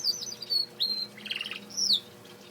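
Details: Male canary singing indoors: a few clear whistled notes sliding down, with a brief buzzy rattle in the middle, set against a faint low hum.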